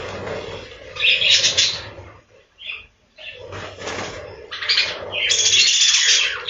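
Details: Captive budgerigars in a breeding-room aviary on a budgie farm: scratchy chatter in bursts, a near-silent gap around two to three seconds, then loud harsh warbling resuming.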